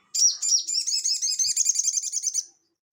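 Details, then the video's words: Crested jay singing actively in the ngeleper style, used as training audio for cage birds: one unbroken run of about a dozen quick, high, slurred notes over two seconds, drifting slightly downward, with a clean, quiet background. "SOGON GACOR NGELEPER UNTUK PANCINGAN BUNYI ATAU MASTERAN"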